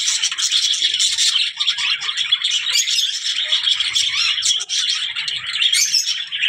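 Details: Budgerigars chirp and warble continuously, with high, scratchy notes tumbling over one another in a dense chorus.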